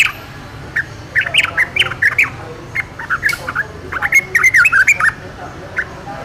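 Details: Yellow-vented bulbul in the wild delivering a lively, chattering run of bubbly gurgled notes, some sharper and squeakier, in irregular clusters across several seconds over soft background hiss.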